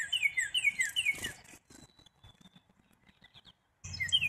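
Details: Black-capped chickadee giving a fast series of short, downslurred notes with bright high overtones for about a second and a half, then a near-silent pause with faint ticks, and the same notes resuming at the end.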